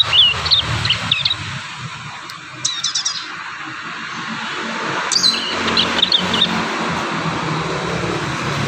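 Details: Juvenile prinias practising song, recorded in natural surroundings in Indonesia: bursts of sharp, high chirps and quick stuttering trills, with pauses between bursts, over a hissy background.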